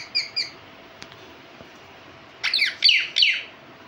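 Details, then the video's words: Pet parrot indoors: two soft chirps, a pause with a few faint clicks, then a burst of three loud, raspy, ringing chirps close together. "Parrot Chirping Sounds | Natural Parrot Sounds | Parrot Calling Sounds"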